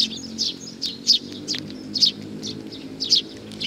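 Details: Sparrows coming to be fed, recorded 15 May 2019: sharp, high chirps in short bursts, about eight across a few seconds at uneven intervals, over a steady low hum.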